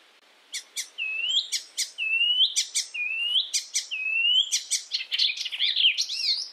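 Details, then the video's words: Icterine warbler, originally from Europe, in song for training songbirds: a series of upward-curving whistled notes, each paired with a sharp click-like chirp, building into a dense, twisting jumble of high notes. "masteran Burung || icterine werbler burung kapasan asli eropa"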